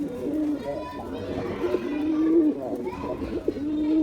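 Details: Male Giribuz pigeon performing, giving a low, rolling coo held almost continuously, with a few brief pauses and some background voices.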